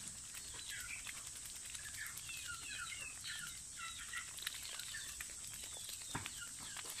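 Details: Young pet domestic goose taking a bath: a run of short, thin, high peeps, some rising and some falling, packed together over a few seconds, with steady hiss and occasional clicks behind.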